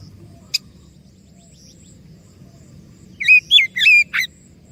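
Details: Oriental magpie-robin lure song: after near silence with one sharp click, a short burst of three or four looping whistled notes ends the stretch.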